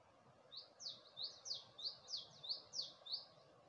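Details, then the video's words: Bird singing at early dawn in Gulmit, Hunza, overlooking the Passu cones: around nine crisp, high, slurred chirps spaced evenly at a brisk pace, close and clear above a low, quiet hiss. "Where the bird 🐦 sang a complete song"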